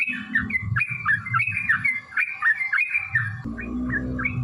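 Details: Fighting song of a yellow-vented bulbul, used to stir other bulbuls to sing: liquid, rising-and-falling whistled notes repeated quickly, partly masked by loud low-pitched rumbling and background clatter.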